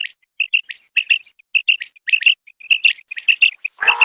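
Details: Common quail calls from a recording used for hunting. Short, bright whistled notes come in quick pairs and triplets at a steady high pitch, repeated rapidly, and close with a harsher, broader rasping burst.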